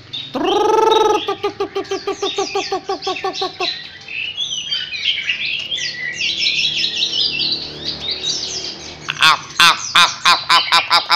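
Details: A newly caught wild Chinese hwamei at close range utters a loud rasping squawk and rapid stuttered notes, then a dense jumble of whistles, ending in a burst of sharp clicks.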